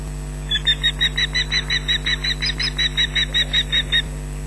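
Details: Nesting ospreys at Loch Garten on 19 June 2012, early afternoon, shrieking at an intruder near the nest while mantling, one chick calling too; around seventeen sharp, piercing yelps in quick regular succession, over a constant low hum.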